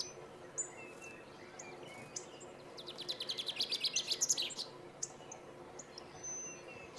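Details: Male common chaffinch in Planina Gornja, Croatia, recorded 22 March 2014, delivering one song: a rapid series of bright repeated notes that speeds up and ends in a brief flourish, with scattered faint calls and a steady low background rumble.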